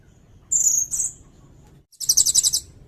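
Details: Sirindet singing, recorded for tutoring songbirds and luring: a high, thin, drawn-out whistle, a short second note, then a quick string of sharp, high chirps.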